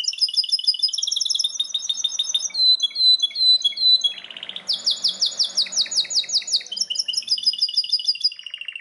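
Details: Vigorous Belgian canary song with high sweeping notes, tight trills and rolling repeated phrases, shifting pitch between segments; clean recording with little background noise.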